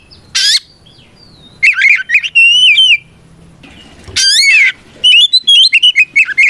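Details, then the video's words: Fighting song of an Oriental magpie-robin (kacer), used to make rival birds respond. A harsh scratchy burst opens, followed by clear whistled phrases, another grating rasp, then rapid chattering whistles. "Suara Burung kacer gacor NGEPLONG tarung ini paling ampuh buat PANCINGAN KACER agar EMOSI Nyaut"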